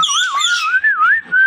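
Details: Talking Indian ringneck parakeet giving a clear, continuous whistle that wavers gently up and down in pitch, briefly dropping out before resuming steadily.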